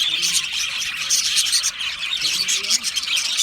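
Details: Short burst of Australian budgie colony chatter in an aviary, bright rapid chirps and warbled whistles from many birds packed tightly together.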